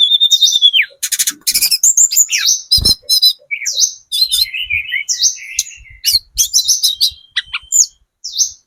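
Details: Lure song of a spotted 'trotol' Sunda robin, used to make other birds answer: it opens with a long, level high whistle, then rapid buzzy trills, falling slurs and chirps in quick bursts, with one low knock.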